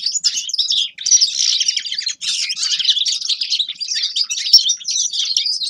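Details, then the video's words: Grey-crowned goldfinch singing loud, unbroken, jingling twitters of high, bright notes, broken by two short pauses, in otherwise quiet surroundings. "Седоголовый щегол Carduelis caniceps певчая птица"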